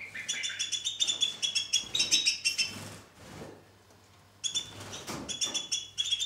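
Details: Two-barred crossbill singing through the weather: quick series of high, metallic chirps and trills, roughly three a second, breaking off into a short pause with soft rustling before the rapid chirping resumes.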